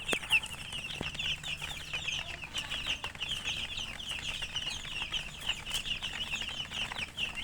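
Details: Chicks (murgi) peeping continuously, a dense chorus of short high chirps overlapping throughout with no pauses, many birds calling at once.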